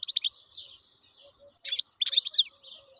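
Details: Wild European goldfinch song: quick high twittering notes, then two loud, jangling, tumbling phrases close together.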